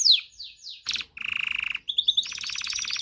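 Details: Canary singing to stimulate mating: descending whistled sweeps, a brief buzzy burst, a sustained rattling trill, then a higher rapid trill with sharp notes.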